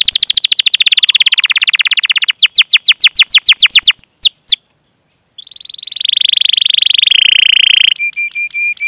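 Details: Canary delivering long rolled trills to prompt other canaries to sing, fast repeated notes slowing into curved chirps, a short gap, then a steady buzzing roll and brief clipped whistles.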